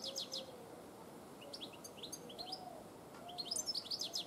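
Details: European goldfinch singing, recorded 1 June 2017: quick bursts of high twittering and buzzy chirps in short clusters, with soft lower whistled notes in between over steady background hiss.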